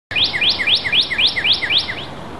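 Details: Northern cardinal singing loud and clear in early spring 2014: a fast series of about eight identical slurred whistles, each sweeping down steeply, evenly spaced and rapid, against a steady background hiss.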